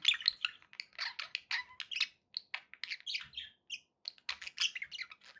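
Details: Pet budgerigars, kept as company for other parakeets, chattering in a dense run of short chirps, squeaks and warbled notes, rapid and nearly continuous with brief gaps, high-pitched and busy throughout.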